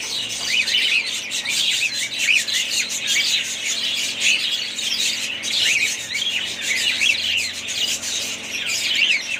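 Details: Continuous chorus of a budgerigar family group, dense high chirps and warbling phrases overlapping, with frequent small peaks of louder calls.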